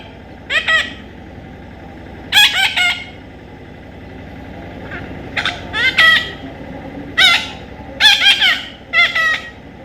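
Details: Baby parrot being hand-tamed, calling in scattered harsh, nasal squawks spread across the recording, often doubled or tripled, with a constant low background drone.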